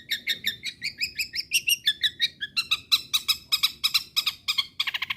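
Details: Long-tailed shrike in full song, meant to provoke other shrikes into singing: a fast run of harsh, chattering notes, about three per second, with a rasping, scratchy quality and no other clear sounds.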